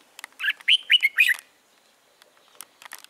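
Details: Early-season red-whiskered bulbul, 13 March 2017, gives a rapid run of clear, bubbling whistled notes lasting under a second. Scattered soft ticks and chirps follow after a short pause.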